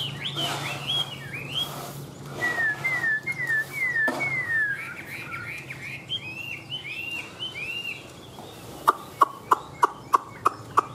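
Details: Chinese hwamei kept in a cage and largely tame, delivering a series of clear downslurred whistles and bouncing phrases, followed near the end by a run of sharp, evenly spaced clicking taps.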